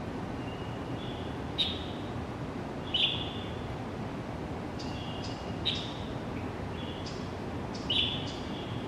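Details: Pale thrush in the early morning, Zhongli District school grounds, January: scattered high thin calls, a few sharp ticks followed by short level whistles, separated by pauses of one to three seconds, with a steady low rumble beneath.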